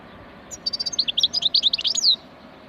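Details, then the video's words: Wild European goldfinch singing, its song praised for its ringing 'rana' tone: a quick run of bright, high twittering notes and short buzzy trills lasting about a second and a half, with faint low background hum. "تغريد الحسون الخلوي اسمع الرنة مشاء الله"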